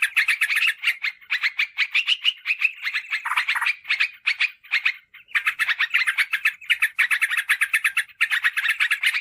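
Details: Yellow-vented bulbul lure recording meant to call wild birds in forest or garden and to tutor caged birds; dense, continuous chattering of rapid bubbly notes, nearly unbroken, with brief pauses near four and five seconds.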